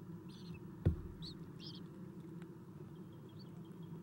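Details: Owlets fed at the nest, 7:04 am on 11 April 2016, nest camera: a cluster of short, high raspy squeaks early on, one sharp knock, then quiet hum with a faint thin note.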